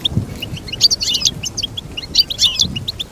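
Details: Goldfinch delivering lively, jumbled high twitters, with clusters of bright notes at about one and two seconds and scattered chirps between.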